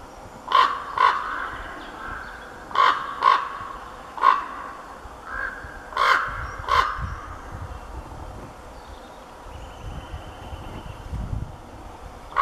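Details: Male common raven calling with a female heard in the background: a series of short hoarse croaks, mostly in pairs, spaced over several seconds, with a low rumbling noise throughout.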